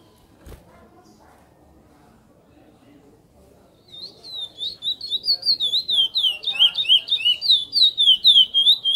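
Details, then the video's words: After about four seconds of near silence with a single click, a chestnut-bellied seed finch (curió) begins praia-style song: rapid, loud whistled slurs building steadily in volume. "CURIÓ PRAIA"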